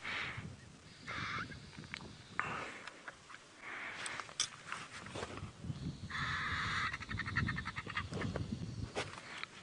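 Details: Vultures squabble over a baby buffalo carcass killed by hunting hyenas in the Mara at sunset, with harsh, hissing squeals and rasping bursts in irregular, overlapping clusters; a voice talks quietly underneath.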